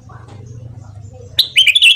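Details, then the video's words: Red-whiskered bulbul morning song: a low, steady hum gives way to a short burst of bright, liquid warbling notes, rising and falling quickly. "Luyện Giọng Chào Mào Hót Sáng"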